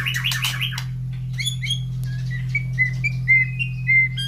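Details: Morning, caged white-rumped shama fed and brought close to other breeding birds that respond loudly; harsh rapid burst opens, followed by a sequence of short clear whistled notes, fairly regular, under a continuous low hum.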